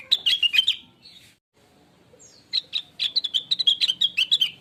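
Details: Blue-winged leafbird song meant as a lure to make other birds sing: a short burst of sharp chattering notes, a pause, then a longer lively sequence of rapid chips and whistles.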